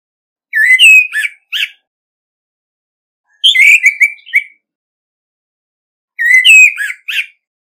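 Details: Decoy Orange-headed thrush singing competitively, no background noise: three similar phrases about every three seconds, each a rising whistled slur followed by sharp twittering notes.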